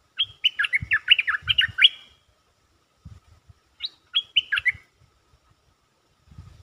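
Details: Lure song of a caged stripe-throated bulbul: a long run of rapid gurgling, warbled notes, then a shorter phrase of four notes after a pause, with soft low knocks in the background.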